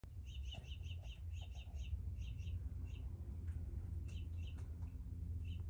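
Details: House finch; begging call; fledgling begging for food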